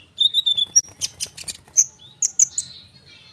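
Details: Konin bird singing steadily, used as a lure to make sunbirds and other birds respond; high whistled notes, a quick run of sharp chirps, then bright rising whistles and slurred notes.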